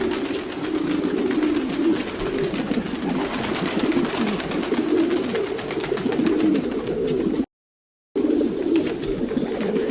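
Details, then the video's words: A flock of domestic pigeons cooing, low throaty rolling coos overlapping steadily, with a brief silent break near the end. "Sounds of pigeons.Pigeons,domestic pigeons - pigeons sound effect"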